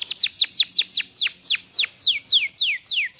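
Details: Tame canary in full, vigorous song (gacor): a steady run of loud, sharply falling whistled notes repeated about three times a second, each sliding from high to lower pitch, against a quiet background.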